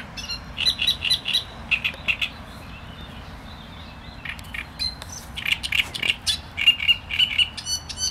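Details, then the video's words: Great reed warbler delivering its song: scratchy, repeated croaking syllables in runs, broken by short pauses, with a loud, rhythmic final stretch. "Trzciniak i jego śpiew"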